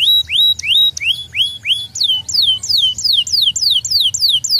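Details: Canary singing, a recording meant to stimulate other canaries: clear whistled upward-hooked notes, then a rapid run of descending slurred whistles repeated about three times a second.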